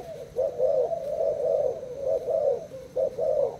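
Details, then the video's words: Caged Thai spotted dove in a cooing match with a decoy, giving drawn-out low coos that merge into one another, with a short break before two final clipped notes. "Cu gáy thailand đấu gù mồi trần 2 ngày lồng"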